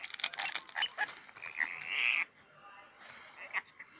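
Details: A male pet Scaly-breasted lorikeet, swearing over his toy, chatters in rapid, harsh, scratchy bursts, then gives a drawn-out buzzy, speech-like phrase before fading to soft mutters.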